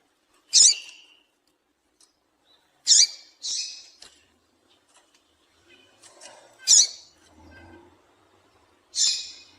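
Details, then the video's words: Female double-collared seedeater giving a series of sharp, high, scratchy chips at irregular intervals of one to three seconds, a call used to stimulate a male to sing. Faint low murmurs can be heard between notes. "Piado de Fêmea de Coleiro para Esquentar Coleiro"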